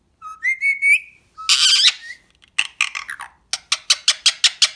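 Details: Male Indian ringneck parakeet talking: a clear whistled two-part phrase, then a harsh rasping burst, followed by rapid chattering notes and a run of sharp clipped squawks repeated about every quarter second.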